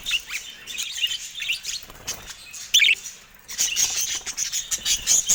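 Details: Caged budgerigars near a camera they are attacking: soft warbled chatter, a loud squeaky chirp near the middle after a short lull, then thin high continuous twittering.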